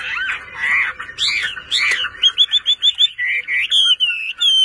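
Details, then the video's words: Kept Chinese hwamei singing: a few broad, slurred whistles, then a quick run of about eight repeated upswept notes, followed by longer clear whistles that rise and fall. "HỌA MI CỦA AI MÀ HÓT QUÁ ĐỈNH ANH EM ƠI"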